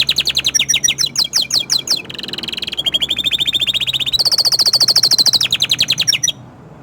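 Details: Orange frost canary singing a string of swept chirps, then long fast trills at changing pitches, including a shrill high section, over a faint low hum.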